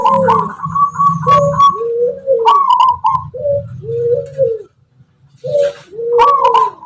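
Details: Tuban tangguh zebra dove, a local wild type noted for its rhythmic, melodious voice: alternating low and higher cooing notes in bouncing phrases, a short silence, then the pattern resumes with sharp clicks.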